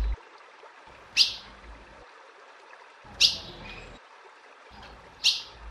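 A female Ultramarine Grosbeak gives three sharp, high chips, one about every two seconds, over a soft low background hiss.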